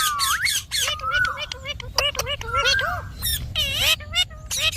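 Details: Rose-ringed parakeet mimicking speech in a near-continuous stream of bright, nasal syllables, several stretched into level whistled tones before bending downward.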